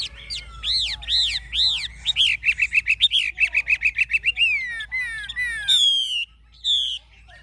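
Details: Caged mature Chinese hwamei, caught wild, with a forest-type voice: arching looped whistles, a fast run of about a dozen repeated rising notes, a sweeping trill and a long, clear, falling whistle.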